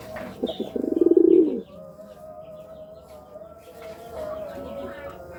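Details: Pigeon cooing while courting, one strong pulsing low coo near the start, then a quieter soft coo later, over a steady tonal hum and a few thin chirps of small birds.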